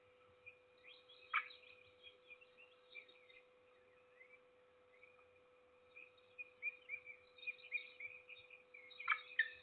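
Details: Peregrine falcon feeding its single chick at Trzebież Forest District, Poland, 7 May 2022; thin high chirps run in uneven strings, broken by two sharp harsh bursts, over a steady low electrical hum.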